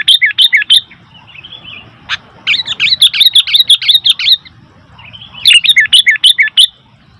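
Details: Sooty-headed bulbul in noisy mood: rapid strings of bright chirps and warbled notes repeated several times a second, with a brief pause between runs.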